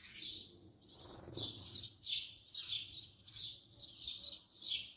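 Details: House sparrow recorded close by, chirping in a regular series of loud, bright notes, with a soft low rustle early on.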